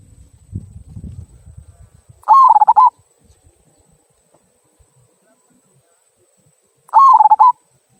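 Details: Local zebra dove singing its "kung" song, used to prompt other birds to sing: low rumbling noise at first, then two short rolling coo phrases of rapid throaty pulses, roughly five seconds apart.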